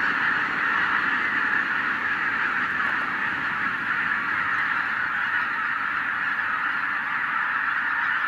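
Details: Constant chorus of tens of thousands of wild geese, flushed by a white-tailed eagle. Overlapping honks form a loud, seamless din that holds steady.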